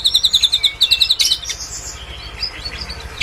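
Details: Drongo imitating cililin, offered as training song for other birds; a quick run of high, clipped notes pauses, resumes briefly, then gives way to soft scattered squeaks and chirps.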